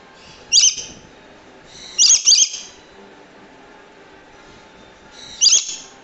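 A Swainson's lorikeet gives harsh, high screeches: one burst, then a quick double, then another after a pause, over a quiet background.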